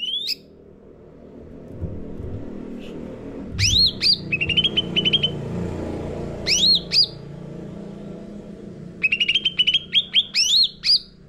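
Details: Lure song of a caged sooty-headed bulbul for training birds: bursts of sharp upswept whistles and fast chirp runs, separated by gaps with low background rumble.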